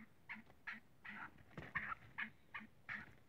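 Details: Black francolin frolicking: a series of short, harsh, mid-pitched clucking notes, roughly three a second, some doubled or drawn out, over faint low thumps and background hiss.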